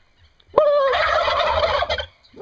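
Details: Domestic turkeys in Brazil: a single loud gobble opens with a sharp yelp and runs into a long, rough, rattling burst lasting about one and a half seconds, then another begins at the very end.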